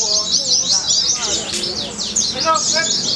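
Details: Contest white-eye performing at a bird singing event in Semarang, Indonesia: rapid, high-pitched chattering phrases of sliding chirps and bursts of trills, loud and continuous, over a low murmur of people talking.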